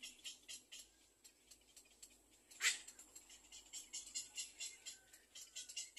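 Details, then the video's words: Young little egrets in the nest awaiting food keep up an uneven ticking chatter, broken midway by one loud, harsh squawk. "Baby bird little egre waiting for food"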